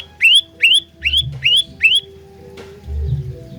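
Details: Short burst of olive-backed tailorbird lure song: five rising whistled notes in quick succession, then silence apart from a faint low hum and a single click.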